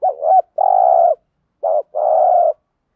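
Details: Repeated cooing of a Spotted dove in thổ voice, meant to make decoy doves coo along: a wavering double note then a long coo, then a shorter note and another sustained coo in quick succession.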